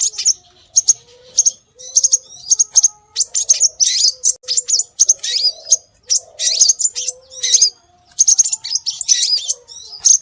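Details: High, thin scarlet minivet calls for luring birds, given almost continuously as short, bright chirps and quick rising-falling whistles in uneven groups. Soft low warbling notes sit faintly below.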